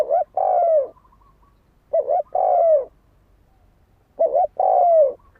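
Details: A lure spotted dove, used to incite fighting, sings three identical phrases roughly every two seconds, each a short double coo followed by a long, falling coo.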